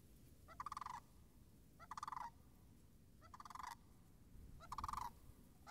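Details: Sandhill cranes near a marsh on March 26, 2019, with the wetland puddles still frozen. Four loud rolling, rattling calls, each about half a second, come roughly every 1.3 seconds over a steady low rumble.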